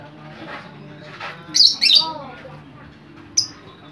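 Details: Lovebird chattering to draw other lovebirds: two loud, harsh squawky bursts in quick succession, softer burbling notes, then a single sharp chirp, above a faint low hum.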